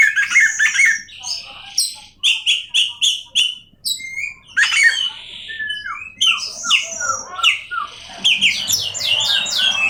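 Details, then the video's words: Oriental magpie-robin song with rapid runs of clear whistled notes, sliding whistles and scratchy trills, interrupted by short pauses. "awas Kacer nya jebol emosi dengar suara Kacer ini"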